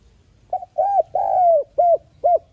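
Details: Spotted dove giving a soft-voiced urging decoy coo, used to stir doves into cooing: one phrase of five mellow, low hooting notes, the third long and slowly falling, ending with two short clipped coos.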